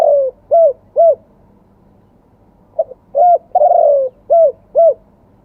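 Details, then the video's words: Spotted dove crowing in the fresh wild-voice, two-kuk song style: a steady run of low, rounded coos in short groups, each note slightly arched, with a brief pause midway and faint hum behind. "ขันสด เสียงป่า 2 กุก"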